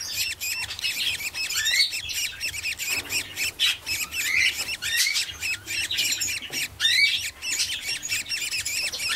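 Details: Several budgerigar chicks keep up a continuous scratchy chatter of buzzy squawks and short upslurred chirps, irregular and overlapping, with faint low hum in the background.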